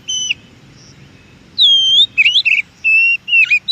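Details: Oriental magpie-robin (kacer) singing in the wild, used to stimulate caged birds; loud clear whistles, one long steady note followed by quick varied twisting phrases and flat sustained whistles.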